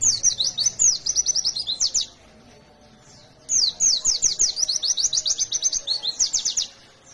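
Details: Two bursts of high, rattling, downslurred chirps, each about two seconds long and split by a short pause, from a chatty fighter white-eye in the 'ngalas nembak' singing style.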